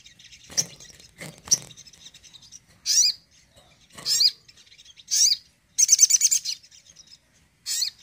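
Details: Crimson sunbird song played as a burst meant to rouse an unmotivated caged sunbird: short, very high, sharp twittering bursts spaced about a second apart, with faint clicks in the opening seconds.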